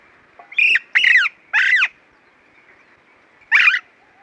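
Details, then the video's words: An Alexandrine parakeet gives four loud, harsh squawks, three in quick succession, then a pause of nearly two seconds before a last one. "Parakeet calls and sounds | Alexandrine Parakeet"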